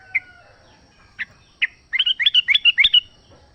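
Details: Wild sooty-headed bulbul in nature, used to stir a caged bird into song; three isolated chirps, then a quick rippling string of about eight bright whistled notes.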